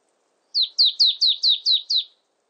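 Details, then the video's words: A marsh tit gives seven bright, clipped notes in fast succession, each dropping steeply in pitch, forming one brisk even series against silence. "쇠박새, 여러번 듣기, 곤충소리, 새소리"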